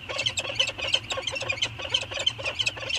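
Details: Two peregrine falcons, a presumed male and female, circling each other on a 2019 morning at Anacapa, trading fast grating cries, roughly three each second in an uneven run, with a constant high-pitched hum and low drone underneath.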